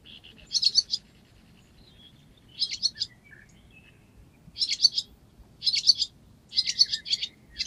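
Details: Barn swallow calling in Cincinnati, Ohio, giving groups of rapid, scratchy high-pitched chirps in clusters roughly every one to two seconds, with a few faint squeaky notes between them and a soft steady low rumble behind.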